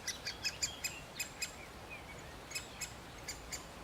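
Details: Male great spotted woodpecker feeding a chick and calling: short, sharp, high clicking notes in quick uneven bursts, loudest near the start and then sparser, over a quiet background hiss.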